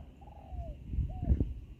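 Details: Distant wild spotted dove with a big voice, heard during a Thai decoy-trapping session, gives two soft, drawn-out coo notes, each sliding downward, about a second apart, over low wind rumble and handling noise.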